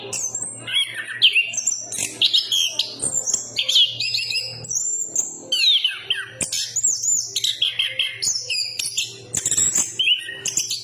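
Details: Long energetic song of a chestnut-capped thrush: bursts of intricate twittering and whistled phrases separated by brief gaps, with a faint low hum in the background.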